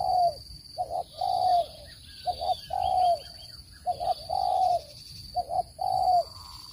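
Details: Spotted dove cooing, used to lure birds into traps: short doubled coos each followed by a long drawn coo, four phrases in a row, with soft distant chirps behind.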